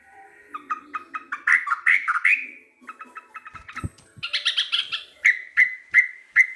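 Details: Chatty local sooty-headed bulbul: a series of quick clipped notes builds into slurred warbles. A burst of high chatter follows, ending in evenly spaced short bright whistles, with a dull thump midway.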